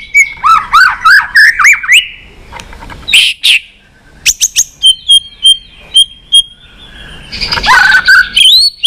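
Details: Many-voiced White-rumped shama song used to stimulate and train other shamas: looping warbled whistles, then sharp clicks and a run of evenly spaced high notes, ending with rich rising phrases.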